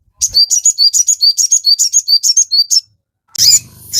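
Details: Sogon used to provoke captive birds into singing. A steady, fast train of high, clipped two-part chirps runs for over two seconds, followed after a short gap by a harsh burst of noise.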